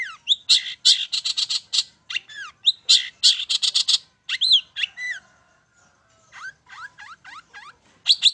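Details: Lure song of a long-tailed shrike in the 'main satu titik' style, meant to get birds singing: dense bursts of rasping notes interleaved with curved whistles, a quiet gap, then softer falling whistles and a final harsh burst.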